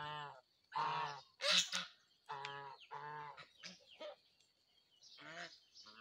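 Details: Geese giving short, clipped honks at irregular intervals, mixed with a few higher harsh squawks and quieter murmurs between calls.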